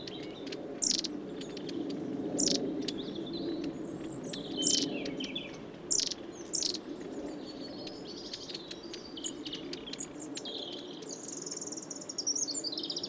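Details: A flock of long-tailed tits feeding on suet at Saltersford Locks, Cheshire, in winter 2012/13; repeated piercing high peeps and scratchy trilled notes, with occasional loud clicks and a soft low drone behind.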